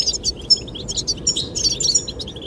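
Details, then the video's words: Rapid high goldfinch twitter, sung to attract a female, with bright chirps and short trills tumbling over one another across a constant windy rumble. "the chirping of goldfinches"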